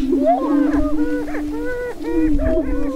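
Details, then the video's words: Greater prairie-chickens dancing on their northwest Minnesota lek, April 27, 2013, in the spring mating display: a level low moan beneath repeated flat, hollow whistled notes about every half second, plus scattered swooping cackles. "Dancing With The Prairie Chickens"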